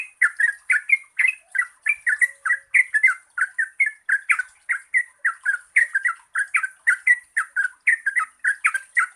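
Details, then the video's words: Lure recording of a yellow-vented bulbul to get lazy singers going: nonstop rhythmic chattering song of short gurgling notes in rapid pairs, evenly loud from start to finish, light high-pitched hiss behind. "Pancingan Trucukan Gacor Ropel Panjang COCOK untuk BURUNG TRUCUK MALAS BUNYI"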